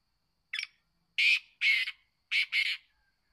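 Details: Kept black francolin, locally kala teetar, giving its call phrase: one brief scratchy note followed by four loud, coarse, buzzy notes in two pairs, with silence around them.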